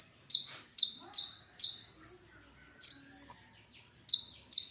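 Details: ['Brown-throated sunbird singing, a recording meant to train other songbirds; bright, piercing downslurred chirps in an irregular series, a few higher thin whistles between, and a short pause mid-phrase.']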